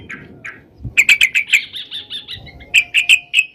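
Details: Sooty-headed bulbul singing energetically, a recording meant to lure birds for trapping: two soft opening notes, then a fast string of bright, sharp chirps, a brief lull, and four more loud clipped notes.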